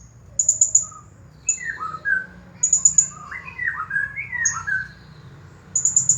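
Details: Blue-crowned hanging parrot, a champion bird, singing 'Nagih Hutang' style: clusters of shrill high trilled chirps alternating with a busy sequence of lower, sliding whistled notes, against a faint low hum.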